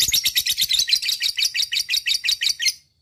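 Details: Lovebird singing a ngekek, a long chattering song used to draw other lovebirds into singing. Harsh, high, scratchy notes are strung together rapidly in a steady churring trill that runs nearly three seconds before breaking off.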